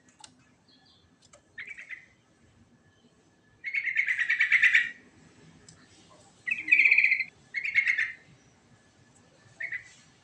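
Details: Sooty-headed bulbul singing a fast rolling ngerol song with a rich fill. Short, buzzy, chattering phrases come in separate bursts at irregular gaps, some longer and denser than others, against a quiet background.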